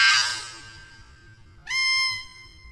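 A tui's song: a short burst of scratchy, wheezy noise, then a single sustained, rich note that swells in at mid pitch and holds steady.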